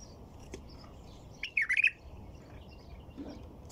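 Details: White-eared bulbul singing one brief, rich, bubbling phrase of several quick warbled notes in the middle of a quiet stretch with steady low background noise.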